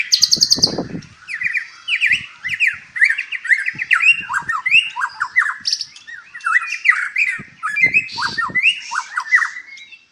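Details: At a breeding farm in Palembang, Indonesia, a caged white-rumped shama pours out a continuous run of quick whistled slurs and sharp squeaky notes, punctuated by low thumps and rustles from the cage.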